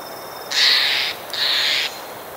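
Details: Magpie in woodland on a spring day gives two harsh, rasping notes about half a second apart, with a faint thin whistle beneath; a hermit thrush and other birds call in the background.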